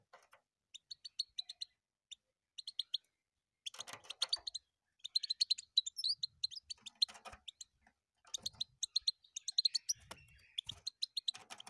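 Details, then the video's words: European goldfinch song: scattered high chirps at first, then dense bursts of rapid twittering and buzzy trills, separated by short pauses, against a quiet background. "Пение щегла."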